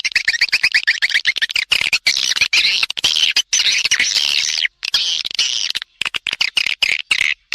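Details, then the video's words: Swiftlet lure call for attracting swiftlets: rapid, dense series of high, sharp chirps and twitters, continuous at first, then broken into short bursts with brief silent gaps. "Suara tarik burung walet"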